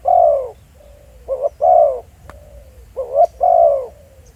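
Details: Field recording of a decoy spotted dove: a long falling coo, then two more phrases, each a clipped rising note and a sustained, mellow descending coo. Faint low notes and a sharp click are also heard.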